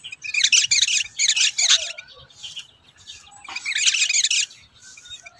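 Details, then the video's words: Rufous-tailed robin singing, a free bird competing with caged birds; two loud bursts of rapid, dense, high twittering notes, about a second each, with a softer, thinner phrase between them. "Rufous-tailed robin Birds,Outer birds compete with birds in cages"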